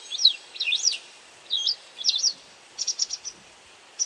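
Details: Calls of a white wagtail foraging for insects: several high, sweeping chirps in the first half-second, then double notes, ending with a brief cluster of short clicks.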